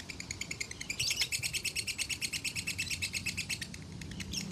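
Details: Konslet-style lovebird song used for masteran training, recorded at a farm in Salatiga: fast continuous run of sharp high chirps in steady pulses, rising in intensity after the first second, with a low rumble underneath.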